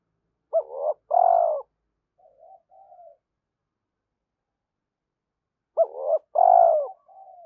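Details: Spotted dove cooing to stimulate other doves: two low husky coo phrases, a short rising note then a longer falling one, with faint soft murmurs between, repeated after about five seconds of silence.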